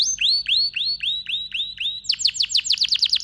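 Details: Male domestic canary song: a series of upward-slurred whistles about three a second, switching into a rapid run of sharp descending chirps, high and clean.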